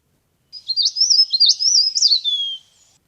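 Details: Lure call of a leaf warbler for bird trapping: a high, squeaky chatter of quick up-and-down notes runs for about two seconds, then ends in a thin, falling whistle, with no other sounds present.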